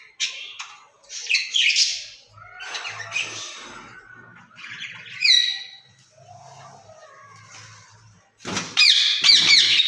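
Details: Caged rose-ringed parakeets, two birds talking to each other in Urdu or Hindi. Uneven scratchy chatter and a brief ringing note mid-way, ending in a loud harsh burst with faint low hum beneath.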